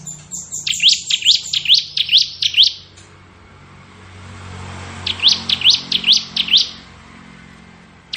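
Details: Ciblek kristal bar-winged prinia, a tutor for magpie-robins, uttering series of six or seven quick rising high notes, a gap of two seconds, then another series, over a low hum.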